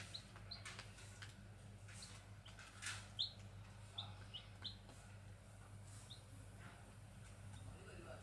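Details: Grey junglefowl chicks in the wild give sparse, sharp, high peeping notes, single or in quick pairs, over faint rustling, a few broadband clicks and a constant low electrical hum.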